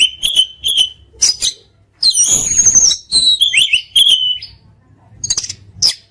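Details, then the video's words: Oriental magpie-robin, a kept songbird, in a tutoring recording full of fill-in phrases and bursts. High whistled and slurred notes come in short groups, broken by a noisy rasping stretch and pauses. "Masteran Mewah Burung Kacer Full Isian Dan Tembakan"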